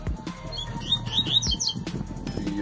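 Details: A double-collared seedeater out on a walk at 6 am under an overcast sky that looks like rain gives a quick run of high, sweet chirps and twittered notes over about a second, with a man's voice and low background rumble.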